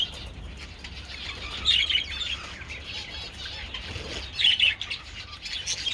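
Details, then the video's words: Budgerigars, more than one, enjoying treats in sunshine on 27 February: bursts of bright, scratchy chirping and warbling around two and five seconds over quieter steady chatter and a faint low rumble. "Adorable budgies enjoying treats in the sun"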